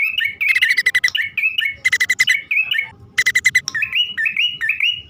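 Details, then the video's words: Male and female bar-winged prinias calling as lure sound: rapid dense buzzy chatters overlapping rising whistled notes, then a steady run of upslurred whistles near the end. "suara pikat prenjak poci/hutan jantan dan betina memanggil jitu"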